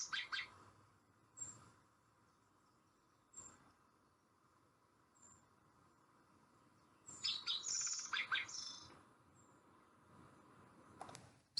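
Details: Spotted Towhee song of the type heard across most of Nevada, the Rocky Mountains and the Intermountain West: a few scattered high, thin notes, then harsh introductory notes running into a quick buzzy trill, more variable than the northwestern form. Quiet recording.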